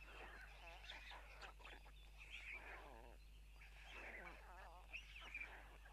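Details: White storks at a nest in Tukums, Latvia, on June 12, 2022 at 04:54, as both parents arrive and spill food for their chicks; wavering, mewing harmonic calls rise and fall in overlapping bursts over a steady low hum.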